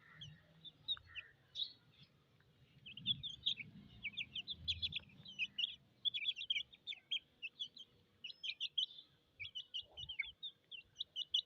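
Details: Thirsty chicken chicks chirping: many short, high peeping notes overlapping in a steady chorus, with low rumbling background noise early on.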